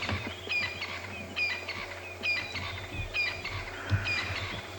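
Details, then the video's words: White-browed scrub robin calling in the background on an afternoon game drive at Djuma, Sabi Sand Game Reserve, South Africa; a high whistled phrase repeated roughly every second, steady engine hum underneath. "white-browed scrub robin. That's about all really. Largely just francolins and scrub robins."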